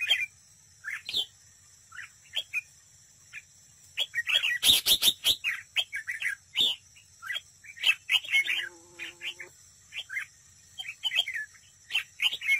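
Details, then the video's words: Red-whiskered bulbul used as a decoy bird at a trap, singing competitively: bright, warbled, liquid phrases repeated in quick bursts, with a loud burst of clicks near the middle and a brief low hum later, over a steady high hiss. "Cận cảnh chào mào mồi đấu bẫy, hót đấu"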